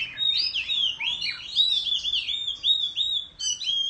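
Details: Countryside Oriental magpie-robin, tail fanned during competitive song: a rich, fluid run of clear whistled notes, looping up and down and leading straight into the next phrase.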